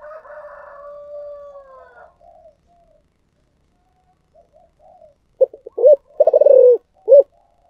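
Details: Spotted dove of the thổ sấm voice type: after a drawn-out rising tone and a pause, a burst of short, loud, hollow coos runs in quick succession, ending with a single separate coo.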